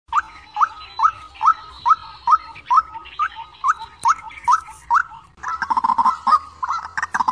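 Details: White-breasted waterhen calls, a recording used as a lure for bird traps: short rising, nasal notes repeated more than twice a second for about five seconds, then a denser, overlapping burst of similar calls.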